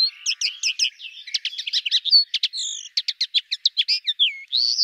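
A common linnet sings a fast, varied twitter of high chirps, short buzzy trills and rising whistled slurs, with no other sounds behind it.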